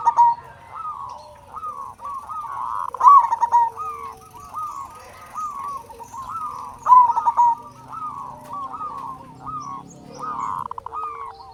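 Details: Zebra dove, a loud local bird, its song played to stimulate silent doves: a continuous chain of hoarse, arched coos with two brief rolling bursts, overlapping phrases suggesting more than one singer, plus a low background hum.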